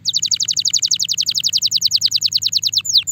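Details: A Timbrado canary, said to be ready for mating, pours out a rapid metallic trill of about thirty bright notes in under three seconds, ending on two sweeping whistles over a faint low hum; finding: Belgian canary.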